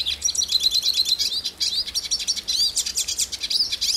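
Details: Brazilian hooded siskin (pintassilgo cabeça preta) delivering a continuous, fast, high-pitched twittering song of chattering notes, short rising and falling whistles and buzzy trills, with no pauses.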